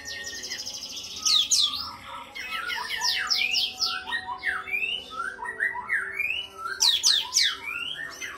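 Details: An Oriental white-eye (kapas tembak type) sings a fast, busy warble of high chirps and sharp rising and falling whistles, tumbling on without pause; the song is used as master song for training other birds.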